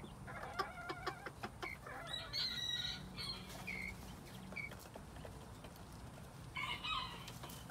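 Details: Spring 2021 quails making a jumble of short chirps and clucks, with a burst of high whistled notes around the middle and a louder cluster of calls near the end, against constant background noise.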